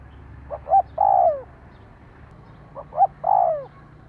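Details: Spotted dove call meant to stir a decoy bird into calling: two repeated phrases of two brief low hoots and then a drawn-out falling coo, clear against faint background hiss.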